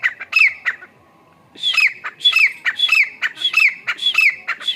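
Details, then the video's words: Grey francolin calling: loud harsh squawking notes repeated rhythmically in quick series, a brief pause after the first burst, then a steady run of paired grating phrases. "Grey Francolin call"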